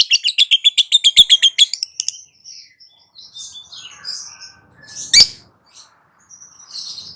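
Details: Lovebird singing: a rapid run of sharp, chattering notes repeated about four times a second for nearly two seconds, followed by scattered softer chirps and one loud click.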